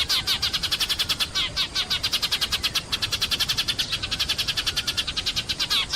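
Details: A sparrow chirps busily in the morning, with high, sharp chirps repeated several times a second in an unbroken, slightly uneven series and a quiet steady hiss behind.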